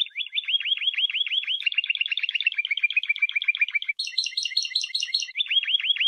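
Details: Timbrado Espanhol canary training song from 2014–2015: rolling series of downward-hooked whistles, then a rattling metallic section and a return to looping swept notes, dense and continuous.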